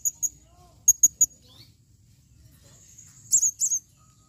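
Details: A female blue-crowned hanging parrot calls in 2021 with short, piercing high chirps, first in a pair, then in a run of three. After a quiet stretch come a few louder, squeaky high notes.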